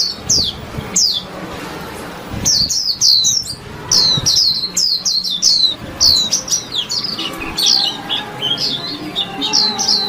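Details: Warbling white-eye singing a chattering warble: rapid high twittering notes in quick bursts, sliding down from very high pitch, with short pauses between phrases.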